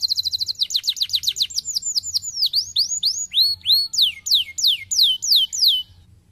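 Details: Stimulating song of a canary for lazy canaries: a fast high trill slowing into loud downward-curving swept notes, each repeated under a second apart, fading at the end.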